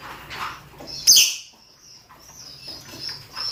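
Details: Male and female rosy-faced and Fischer's lovebirds giving mating calls: a rough chatter, then a single piercing squawk, followed by quieter high chirps from several birds.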